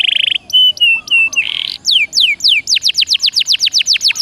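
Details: Canary song for prompting caged canaries: a short buzzy trill, level whistles with upturned ends, a brief buzz, then a steady repeated series of descending sweeps.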